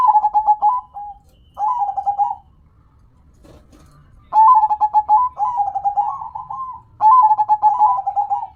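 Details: Singing perkutut, a zebra dove, giving rhythmic phrases of clipped stuttering notes that end in a sustained trilled coo, with a quiet gap in the middle before three more phrases.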